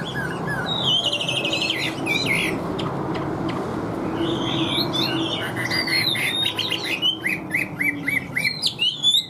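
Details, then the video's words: Caged Chinese hwamei with an even, forceful song: rapid trilled notes at first, then varied whistled phrases and a series of quick repeated chirps. "Họa Mi Hót Như Máy, Điện Đóm Căng Ra Giọng Đều"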